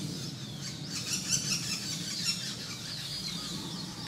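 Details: A juvenile male Common flameback, large but still fed by its mother, gives thin, high, squeaky begging notes in quick, uneven bursts over a steady low rumble; Jeram Mangrove Forest, Selangor, 2 October 2010.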